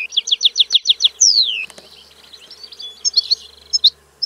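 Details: European goldfinch song opening with six evenly spaced rising chirps, then a long descending slurred whistle, followed by softer scattered twitters; faint background hum.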